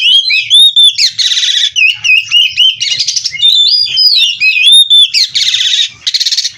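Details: Bred kacer (oriental magpie-robin) in energetic 'gacor' song: crisp whistled loops and downslurs broken by repeated harsh buzzy rattle bursts roughly every second or two.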